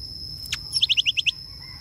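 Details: A greater racket-tailed drongo with two long tail feathers gives a quick run of six bright, clipped notes, about ten a second, after a sharp click, over a thin, steady high whine.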